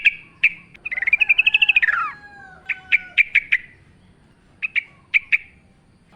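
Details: Yellow-vented bulbul singing vigorously in forest style with nature sounds: sharp chirps, a rolling chattering trill that rises and then falls, then clusters of quick single notes with short pauses.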